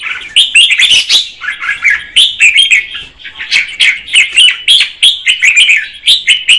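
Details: Red-whiskered bulbul, a female, sings to stimulate the male; fast, dense stream of bright chirps and warbles repeated in quick pulses with hardly a break.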